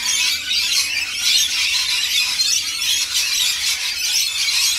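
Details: Rainbow lorikeets at a feeding, many birds giving shrill, scratchy screeches and chatter in a steady, overlapping din, with louder bursts near the middle and end.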